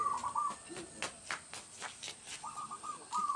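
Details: Local zebra dove singing as a lure for dove trapping in a rural village: two short trilled coo phrases, one at each end, separated by clicking and tapping noises.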